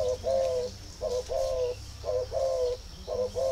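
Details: Caged spotted dove in Ba Vì, northern Vietnam, showing readiness to be paired: a quick run of soft, hollow coos, each a short double note, repeated about once per second against a low steady hum.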